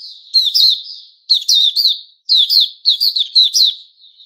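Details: Puteh Raja, a white-rumped shama kept as a songbird, recorded 29 August 2021: about four loud phrases of rapid, bright chattering notes with a fading whistle between them, no background noise.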